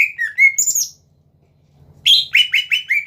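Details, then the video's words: Greater green leafbird song meant to goad rivals into answering: a tumble of whistled slurs and a high squeaky note, a short pause, then a fast run of bright, sharp repeated notes; a soft low hum behind. "BURUNG CUCAK IJO GACOR PINTAR MEMANCING LAWAN AGAR BUNYI"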